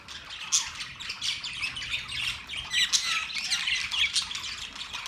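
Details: Australian parrots recorded October 10, 2023: continuous overlapping chatter of harsh squawks and sharp chirps from several birds, with a few louder piercing notes.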